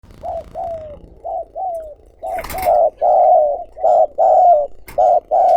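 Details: Spotted dove used as a decoy, recorded directly, cooing to call others: soft paired coos at first, then louder mellow coos in close runs with brief sharp knocks in between.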